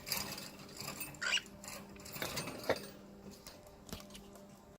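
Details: Scraping, clicking and rattling noises over a steady low hum, with no clear animal call.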